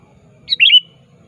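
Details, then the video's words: Single call phrase from an active sooty-headed bulbul challenging a rival, suited as a trapping lure: a sharp high note then a gurgling downward-slurred warble, background otherwise quiet. "Suara Burung Kutilang Gacor Aktif Memanggil Lawan"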